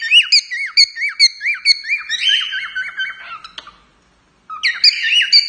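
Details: Male cockatiel singing to the woman who keeps it: fast repeated whistled chevrons, then a wavering buzzy trill, a second of silence, and a fresh whistled phrase.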